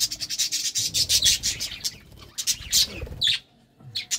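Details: Budgies in courtship; fast scratchy chattering pulses give way to a few sharp high chirps, then a short silence and more chatter.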